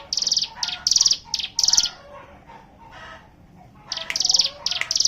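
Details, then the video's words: Hill prinia (ciblek gunung) in the ngebren style, a group chorus recording used as a lure to make other birds sing: bursts of high, buzzy, rapidly repeated notes, pausing mid-clip before resuming. "pancingan ciblek gunung bahan ombyokan"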